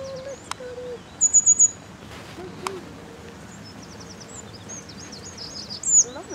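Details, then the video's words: Grey wagtail singing in winter at Clare, Suffolk: very high, thin, sharp notes, a quick burst of four, then twittering runs near the end, over a low steady hum. "Singing Winter Grey Wagtail"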